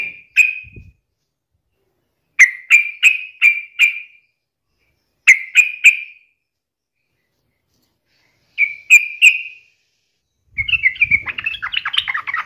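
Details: Lively sooty-headed bulbul song used as a daily lure to prompt other bulbuls to sing: short bursts of three to five bright whistled chirps separated by pauses, ending in a scratchy twittering jumble with low rumble beneath.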